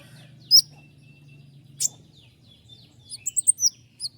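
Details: Common iora song with sharp, fast accents. After two isolated piercing notes comes a quick run of high chirps near the end. A faint low hum sits beneath.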